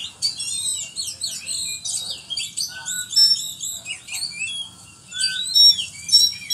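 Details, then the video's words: Continuous high, scratchy warbling from an Oriental magpie-robin whose song is packed with cricket imitations, with thin whistles, short trills and quick chattering phrases rising and falling in loudness. "Kacer mewah full isian jangkrik"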